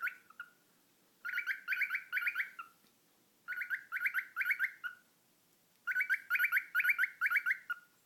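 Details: Pet cockatiel making funny noises: three bursts of rapid, buzzy chirps, each burst of four or five notes ending in a short trailing note, with pauses of about a second between bursts; quiet room.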